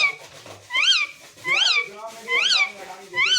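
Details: Pet Indian rose-ringed parakeet said to mimic words, giving four loud arched rising-then-falling squawks with strong overtones, about one every 0.8 seconds, in a small room with faint background talk.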